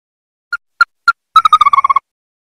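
A Ruddy-breasted Crake gives three spaced, hard, mid-pitched notes, then a quick run of about ten notes that speeds up and drops slightly in pitch. Nothing else is heard.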